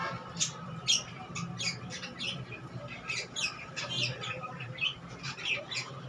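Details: Pet budgerigars, kept during monsoon season and fed soaked pearl millet, chatter in quick, scratchy, high-pitched chirps and squawks.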